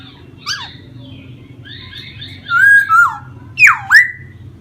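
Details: Caged laughingthrush, a prized songbird that fans and dances as it sings; a faint early note, then pairs of loud slurred whistles, the last two sweeping sharply down and up.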